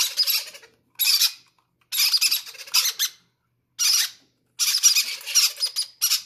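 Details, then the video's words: Begging parrot chicks clamouring to be first at feeding: rough, scratchy, high squawks in stuttering bursts, with brief pauses between them. "greedy baby parrots say i want to be the first to eat"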